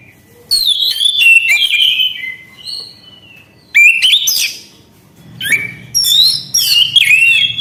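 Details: Orange-headed thrush giving lively, loud song in four bouts: sweeping whistled phrases, rapid chatters and rising slurs separated by short pauses, faint low rumble behind.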